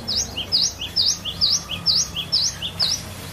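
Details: Kept cinereous tit, a glatik batu variation song meant to prompt other birds to sing: high V-shaped whistles, each paired with a lower slurred note, repeated steadily about twice per second.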